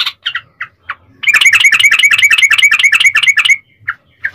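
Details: Sooty-headed bulbul's long ropel song, played to make other bulbuls sing. A few scattered chirps lead into a rapid, even roll of bubbly notes lasting about two seconds, then isolated chirps again.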